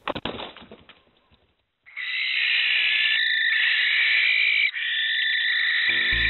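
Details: Male barn owl (Tyto alba), knocked back into his nest box by a hard blow from a tawny owl during a territorial fight, calls again: a long, harsh, hissing screech lasting several seconds with one break, after thumps and wing-flapping.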